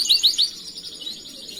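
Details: Canary master song used for training other canaries: three bright rising whistled notes, then a softer high warbling trill continuing to the end.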